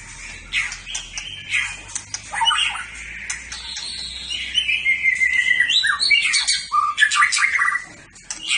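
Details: Champion white-rumped shama in full competition song: a dense, fast run of trills and whistled slurs, building in loudness toward the end, with broad background noise beneath.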